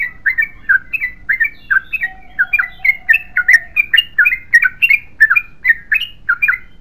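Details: Yellow-vented bulbul delivering a long unbroken 'ropel panjang' song: lively, slurred, chuckling notes tumbling in an even rhythm, with a brief faint whistle-like tone partway through.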